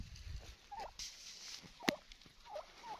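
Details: Wild turkey giving a few short, thin yelping notes spaced apart, with a sharp click and faint hiss in the background.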